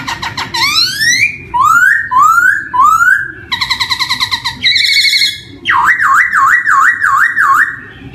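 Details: Black-throated laughingthrush song used to coax young birds into singing: rising whistled slurs, a dry rattling burst, then a long warbling whistle wavering up and down several times.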